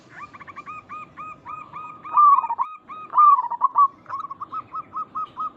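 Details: Lure calling from local zebra doves: a fast run of evenly spaced, slightly harsh repeated notes, then two loud warbling coo bursts and a closing string of quick, even coos.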